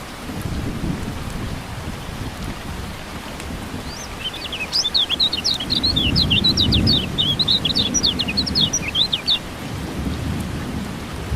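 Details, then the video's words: Kecial kuning (white-eye) in a rain-therapy recording for birds that have stopped singing: after a rain-filled start, a long run of quick, high, sharply rising and falling chirps over soft rain. "Terapi Hujan Kecial Kuning Buat Burung Yang Macet Jadi Bunyi Gacor Joss"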